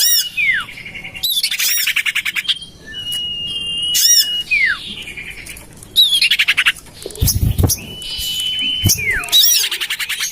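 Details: Common iora calls used as a bird lure: bursts of rapid, grating chatter with sharp downslurred notes, broken by long steady high whistles, repeated in rounds about every two seconds over faint background hiss.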